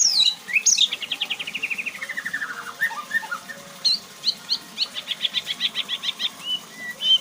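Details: White-rumped shama unloading its 'bongkar isian' repertoire: a fast trill of rapid notes sliding steadily downward, brief chirps, then a series of quick high repeated notes and a final whistle.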